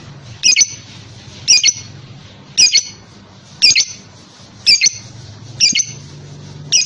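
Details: Lovebird giving sharp, high, piercing chirps, each a quick double note, repeated roughly once a second over a low background hum.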